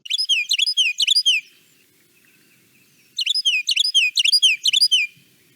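A Carolina Wren gives two loud bursts of rolling, ringing tea-kettle phrases, three or four quick repeats each, separated by a short pause.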